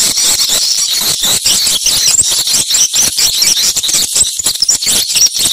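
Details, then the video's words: Swiftlets calling during a site check, a dense, continuous wash of high, shrill, twittering chirps broken by brief rapid gaps, with no other clear sounds. "suara burung walet"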